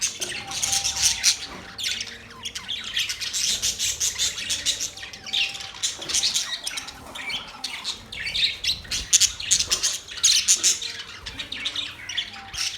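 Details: Relaxed budgies keep up continuous high chatter: rapid scratchy chirps and squawks from several birds, rising and falling in waves, with a thin steady tone and faint hum in the background.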